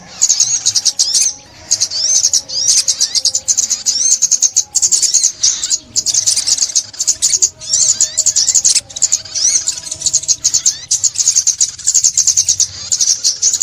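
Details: Olive-backed sunbird song, 2021, tied to bird trapping: long stretches of frantic high twittering and buzzy trills, broken by short gaps, with occasional upslurred whistles.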